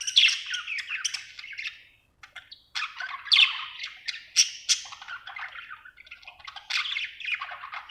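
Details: A happy budgie gives scratchy, squawking chatter in uneven bursts, a short silence after two seconds, then sharp squeaks and rolling warbles.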